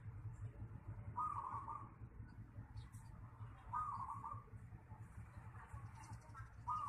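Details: Zebra dove (perkutut) giving brief, mellow rolling coos, three bursts spaced about two and a half seconds apart, over a steady low hum and faint background noise.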